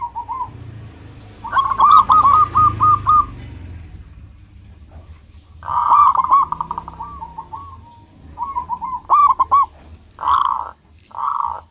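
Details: Zebra dove of a local strain singing as a lure for other doves: several bursts of fast stuttering coos and softer trailing trills, separated by pauses, with rustling and low rumbling noise early on.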